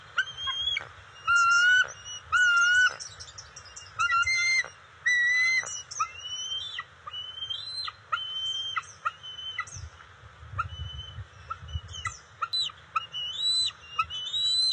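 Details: Bald eagles, adult female and eaglets, at the nest on June 27, 2021 while fish is delivered: repeated bursts of high, piping whistled notes, some upslurred, in uneven series roughly once a second, with pauses between.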